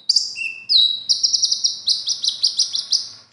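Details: A common iora kept for song contests sings material learned from other birds. Two descending whistles and a low steady whistle lead into a fast, rhythmic series of sharp, repeated notes lasting about two seconds.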